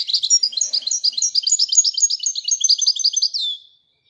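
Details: European goldfinch in sustained song, an unbroken stream of rapid, bright twittering notes lasting over three seconds before stopping abruptly.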